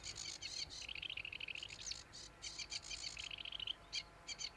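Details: Sedge warbler mixing harsh scratchy rattles with fast, lower rippling trills and short buzzy bursts, delivered rapidly and at a moderate distance over a faint background hum.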